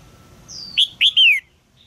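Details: Female red-whiskered bulbul in a cage, calling so a young male will sing: a thin falling whistle, then two short bright notes and a longer slurred note sliding downward.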